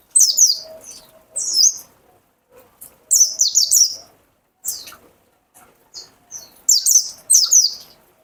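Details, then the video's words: Mountain white-eye, called pleci dakun, giving its "wit wit wit" song: bright, piercing high twitters in short clusters roughly every second, some notes sliding downward, with soft low thumps in the background. "PLECI DAKUN WIT WIT WIT"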